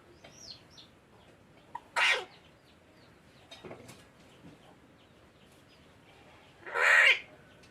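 An Alexandrine parakeet gives two loud, harsh, raspy bursts about five seconds apart, with soft chirps and clicks in the quiet between.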